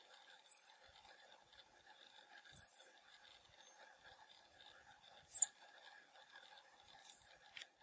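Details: Black-masked Finch (Coryphaspiza melanotis) recorded in Pompéu, Minas Gerais, Brazil, giving four thin, very high, brief notes spaced about two seconds apart over a faint, steady background hum.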